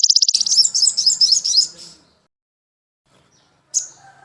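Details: Crimson sunbird (sogon) master recording for training caged birds: a brief high rapid trill turns into a jumbled, squeaky twittering phrase, then silence, then one sharp high chip over a faint low tone.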